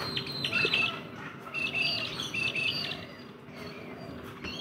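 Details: Rainbow lorikeets feeding in a backyard: sharp, high squawks and chirps in quick bursts, with short gaps between them, over a steady low hum in the background.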